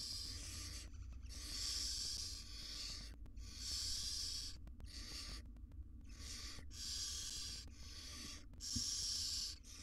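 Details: Wild barn owls, a mother tending and grooming tiny chicks in a research nest box; a run of long raspy hissing bursts, some over a second, broken by short pauses and faint clicks.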